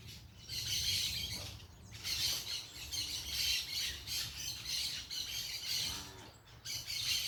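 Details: Parakeets making a racket outside: repeated harsh, high squawks roughly every second or so, overlapping into continuous chatter, with steady hiss beneath.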